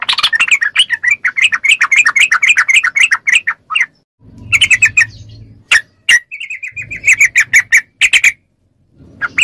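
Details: Yellow-vented bulbul song used to make captive bulbuls respond: fast dense chattering notes at first, then broken chirp bursts separated by gaps with a low background hum.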